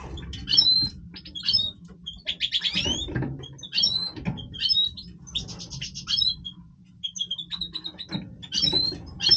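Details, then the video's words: Breeding song of a Major European goldfinch: short phrases of sharp twitters, upslurred whistles and scratchy trills repeated every second or so with brief gaps, a low hum beneath. "Stieglitz Major Breeding Voice - singing Goldfinch"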